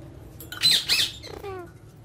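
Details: Pet Alexandrine parakeets playing with their toys indoors; one gives two harsh, raspy squawks in quick succession, then a brief nasal falling note, in a quiet room.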